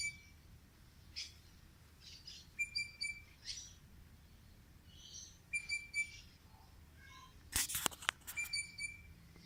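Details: Unnamed bird singing in short phrases of high chirps and a level whistled note, repeated several times across the stretch, with a few sharp clicks near the end and a quiet low rumble underneath.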